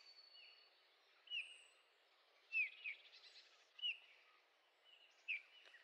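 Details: Bullfinch in the Sauerland at Heringhausen, Germany, mid-August 2013, giving quiet descending piped whistles, some doubled, spaced roughly a second apart against low outdoor hiss.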